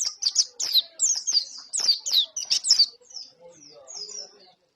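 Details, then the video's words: Rapid white-eye song of sharp, high, falling chirps packed closely for three seconds. It then fades into softer, scattered high notes and faint lower sounds. "pleci gacor mp3"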